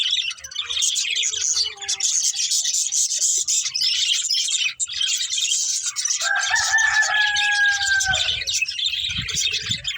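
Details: Pet budgerigars chirping while playing and eating: a dense wash of rapid high twittering, with a few longer tonal whistles sliding downward near the end and faint low thumps beneath.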